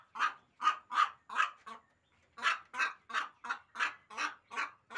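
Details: Hen calling in a steady series of harsh, nasal squawks, about three per second, with a short pause after the first few notes; no other sounds stand out.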